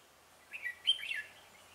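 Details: Red-whiskered bulbul decoy singing to lure other bulbuls into a trap, 17 November 2017: a single short, clear phrase of slurred whistles, the middle note loudest, fading out after.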